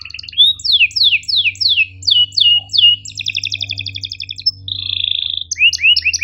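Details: Training song of a canary, sharp chirps and rolls: a series of steep descending whistles about every quarter second, a rapid stuttered roll, a steady buzzy trill, then renewed downslurred notes over a low hum.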